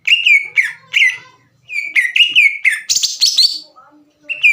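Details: Green leafbird in rival-provoking song: clear whistled notes that slide downward, given in short groups separated by brief pauses, with one harsher, buzzier burst near the end.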